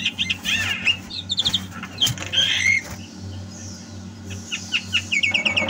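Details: Javan myna in energetic 'gacor' song, recorded in 2022: a jumble of quick chirps, rising whistles and harsh scratchy bursts, with a steady low hum underneath.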